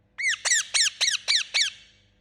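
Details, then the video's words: A pet rose-ringed (Indian ringneck) parakeet gives six harsh, rising-then-falling screeches in quick succession, about three each second, loud and shrill against a quiet background. "Parrot Chirping Sound"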